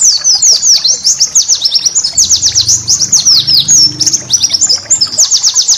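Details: White-eye master song for training cage birds, a busy continuous stream of high, quick downslurred chirps and short trills, varied and unbroken, with faint low hum beneath.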